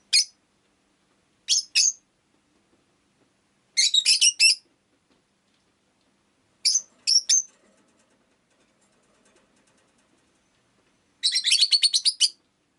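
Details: Rosy-faced lovebird kept indoors as a pet chirping in harsh, piercing bursts: single and paired notes spaced over several seconds, then a rapid rattling series of chirps lasting about a second near the end.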